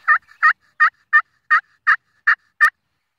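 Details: Wild turkey calling in a short series of eight evenly spaced, harsh gobbling bursts about a third of a second apart, each strong and rattling, with nothing else audible.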